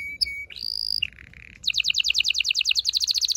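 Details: Male canary singing to prepare a female for mating: brief high notes, a steady whistled tone, a lower buzzy segment, then a fast, evenly repeated double-noted trill to the end.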